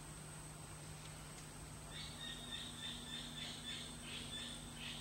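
A sand plover gives a quick run of short, sharp high notes in loose bursts over a steady electrical hum.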